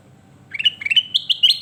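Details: Sooty-headed bulbul (kutilang emas) in lively song for a bird-training tutor recording: a run of short whistled notes climbing step by step in pitch, each slightly higher than the last, against a quiet background.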